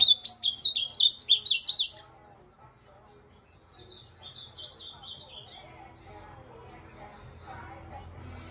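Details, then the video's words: Ultramarine grosbeak singing: a quick phrase of about seven clear, high, slurred whistled notes with bright overtones, lasting two seconds, followed by faint chatter and soft background noise. "Esse azulão é um fenômeno dos fenômenos"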